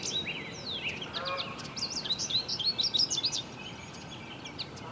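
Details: American robin hatchlings in a nest, raised by nesting parents: a rapid run of high, thin, overlapping chirps and squeaks, densest in the middle, over steady outdoor background hiss.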